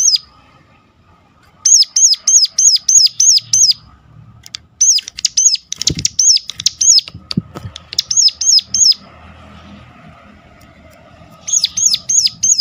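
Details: Sunda warbler giving a sharp lure call meant to prompt others of its kind to sing: bursts of high, hooked, piercing notes about three per second, separated by pauses, with soft fluttering and knocking noises between bursts.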